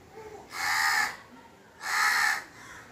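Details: Two long, rasping caws from a crow, spaced just over a second apart against faint background noise.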